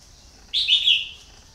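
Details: Red-whiskered bulbul decoy, a bird kept for luring wild ones and credited with many catches, gives one loud, rich, warbling phrase of about half a second, slightly falling, over a quiet hissing background.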